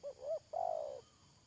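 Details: Spotted dove used as a decoy bird for trapping, calling with two short rising coos followed by a longer, slightly falling burry coo, clear and close.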